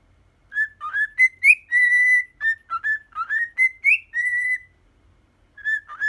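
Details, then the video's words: Ten-year-old pet cockatiel whistling the "Poppippo" melody: clear, pure notes climbing step by step to longer held tones, then a second rising phrase ending in a sustained note, with a short pause before the tune restarts. "オカメインコ ピカちゃん♪ぽっぴっぽー♪やってます"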